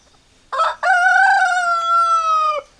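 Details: Rooster crowing close by: a brief first syllable, a short pause, then a long, even, drawn-out note ending abruptly, background quiet.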